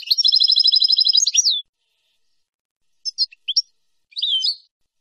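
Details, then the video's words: European goldfinch song from a clean recording for training young birds. A long, rapid, evenly pulsed trill lasts over a second and a half, followed by scattered high chirps and a short, buzzy twitter. "شريط لغة حسون نهرات وتقاسيم"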